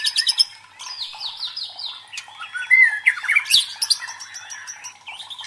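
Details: White-rumped shama provoking song used to train the fighting spirit of competition birds: dense rapid chatter, a run of descending slurred whistles, then loud buzzy notes and sweet rising whistles.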